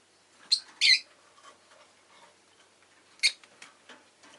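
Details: Captive rosy-faced lovebirds, one orange bird among them, with town noise faintly behind: a quick pair of sharp screechy chirps, a pause of about two seconds, then one more shrill note and soft clicking.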